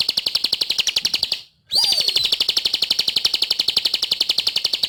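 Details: Ciblek, or Sunda pygmy flowerpecker, delivering a fast high trill of uniform pulsed notes, interrupted once by a brief silence and a sharp falling whistle before the trill continues.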